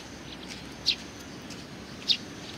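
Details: Sparrows welcoming an arrival, recorded on 27 July 2020: two short, high, sharp chirps about a second apart over steady low background hiss.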